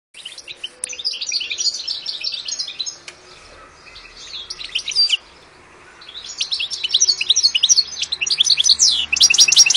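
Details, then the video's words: A "gitano" European goldfinch singing a fast, tinkling twitter of high, liquid notes in two bursts, with a short pause between them. "Jilguero Gitano Pegando"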